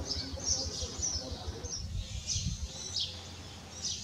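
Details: A grounded Iberian magpie fledgling cries out after a fall while several adults come to its aid; rasping high-pitched calls, some rising and falling, recur every second or so over low outdoor noise.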